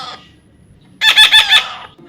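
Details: Young parrot during taming sessions lets out one loud, grating squawk broken into quick pulses, after a faint earlier call and a silent gap.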